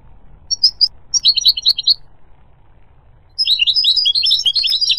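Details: Goldfinch singing: a few sharp high chirps open a twittering phrase, then a loud, continuous jangling rush of rapid tinkling notes.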